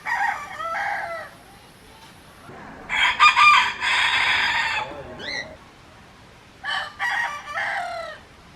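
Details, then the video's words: Different roosters crowing one after another: a short two-part crow, then a long harsh one stretched over two seconds, a brief squawk, and another broken crow later, against faint background hiss. "Diferentes Galos cantando - Galo cantando - Som do galo"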